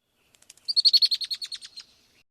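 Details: Female Red-winged Blackbird among tall invasive Phragmites grass on the Sand Creek Greenway gives its repetitive clicking call: a few soft ticks, then about a dozen high, clicking notes in just over a second, fading toward the end.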